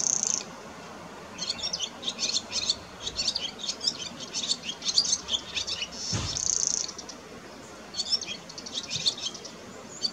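A barn swallow gives a fast, high twittering song in quick bursts, broken by two dry, buzzy rattles. A faint low background hum runs underneath.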